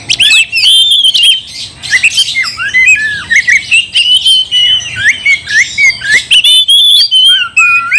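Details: Oriental magpie-robin in a long, vigorous provoking song aimed at starting a fight: continuous mix of whistled slides, harsh squawky bursts and rapid chattering notes, loud and varied throughout.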